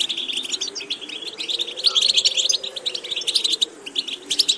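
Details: Goldfinch being trained to deliver diverse repetitions; an even, rapid stream of twittering chips and short buzzes, slightly louder in the middle, with a soft hum persisting below.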